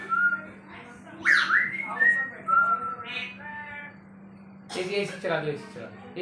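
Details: Talking African grey parrot (Psittacus erithacus) giving several clear whistled notes, some sliding up and down, then a burst of speech-like chatter, over a steady low hum.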